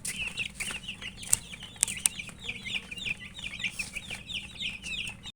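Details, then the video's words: Young murgi chicks eating, a lively series of rising high chirps from several birds, with a few sharp pecking taps. "Murgi chicks Chirping sounds and eating"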